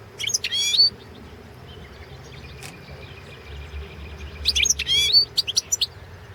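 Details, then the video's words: Competition recording of a European goldfinch, Balkan subspecies Carduelis carduelis balcanica, from the 2017 world goldfinch song championship: two short bursts of high twittering with sweeping whistled notes, a faint steady tone between them. "Pesma štiglića 012/ 2017 Potić Sanja World championship in Goldfinch Song 2017"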